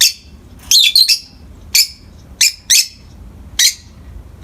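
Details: Two pet peach-faced lovebirds calling in morning light: a quick cluster of shrill, harsh chirps followed by four more single sharp shrieks at uneven intervals, about one per second, in a quiet indoor room.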